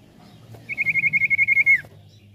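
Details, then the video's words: Common iora song used as a lure call: a fast trill of about a dozen short notes on one high pitch, ending in a falling slur, over a low background hum. "Sekali putar Burung cipoh langsung nyaut"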